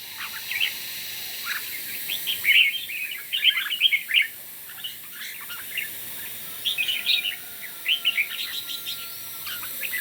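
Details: Morning competition singing of red-whiskered bulbuls, with clusters of sharp chirped and whistled notes in bursts around two to four seconds and again near seven to nine seconds, a steady high hiss beneath.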